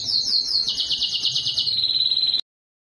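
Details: Belgian canary in its strongest courtship song to attract breeding females: a high rapid trill that drops slightly into pulsing rolled notes and ends on an even held trill before stopping abruptly.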